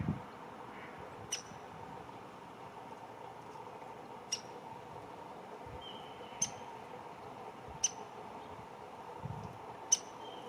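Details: Busy female downy woodpecker giving single sharp, high 'pik' notes, spaced irregularly one to three seconds apart, over a faint steady background hum.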